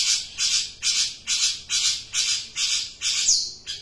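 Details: Long-tailed shrike calling steadily: loud, harsh, grating squawks repeated about every half second, each note rasping and noisy. A higher squeak ends the series.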